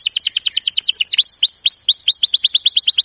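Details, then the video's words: Canary training song: a quick run of repeated down-slurred notes, then a slower series of upswept whistles, returning to a rapid chirping trill. "Birds song Canary ❗suara Burung Kenari !!"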